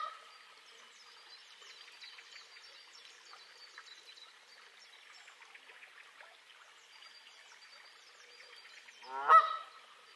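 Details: On 25 April 2020, a single loud, nasal Canada goose honk rings out near the end, over a steady background chatter of distant honking and other bird calls.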